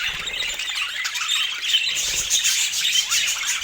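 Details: Brief burst of high budgerigar chirping and warbling, fast and irregular, with many overlapping squeaky notes.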